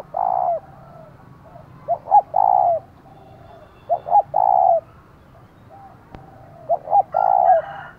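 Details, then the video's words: Spotted dove kept as a decoy, calling loudly to excite wild rivals: repeated three-part coos of two quick notes and a drawn-out low hoot, one phrase roughly every 2.5 seconds, a single sharp click midway. "Chim Cu Mồi, tiếng thúc vang cả xóm mở lên kích bổi hiệu quả"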